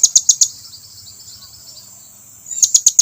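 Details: Blue-crowned hanging parrot calling its companions to come near: rapid runs of four piercing high chips at the start and end, separated by a quieter stretch.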